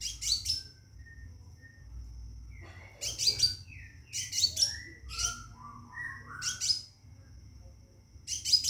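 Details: Calling for a female to mate, a caged Scarlet minivet gives repeated bursts of high, sharp chirps. Between the bursts come several lower, sliding whistled notes, and a steady faint high tone continues throughout.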